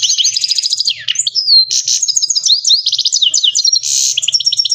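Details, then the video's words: Himalayan goldfinch, kept as a cage bird, singing a fast, continuous twittering song of buzzy trills, rapid repeated chirps and sliding whistled notes high in pitch, with no other sounds. "Himalayan Finch Full Sining Saira Singing HD سایرہ کنری مست Goldfinch Singing"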